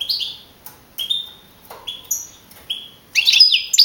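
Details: Young male European goldfinch from a 2012 Madrid singing contest giving sparse, separate tinkling and drawn-out whistled notes at intervals, then breaking into a brief burst of twittering at the end.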